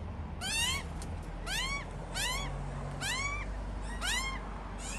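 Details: Australian magpies of a family raising chicks: rising, arched harmonic calls given about once a second, five in a row, over a low steady hum.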